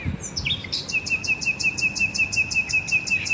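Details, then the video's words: Garden bird song: a steady string of short, thin notes repeated about five times a second, with faint high ticking above and a few chirps at the start. "garden birds singing sounds | relaxing bird chirping video"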